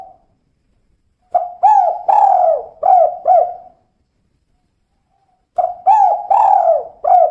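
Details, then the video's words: A female spotted dove utters its 'kuk 2' coo: a short note, two quick arched notes and a long low coo. The sequence repeats after about two seconds of silence, with no other sounds present. "Suara Burung Tekukur Betina Kuk 2"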